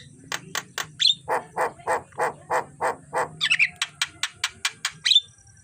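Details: Javan myna recorded in the morning as a training song for other birds: a run of about a dozen harsh, buzzy rasping notes at roughly three per second, mixed with a few sharp high whistles, over a low steady hum.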